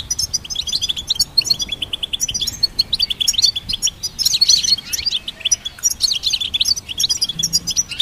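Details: Goldfinch hybrid song meant for songbird training: continuous fast twittering and tinkling high chirps, delivered in dense bursts with short gaps, over a soft low background murmur.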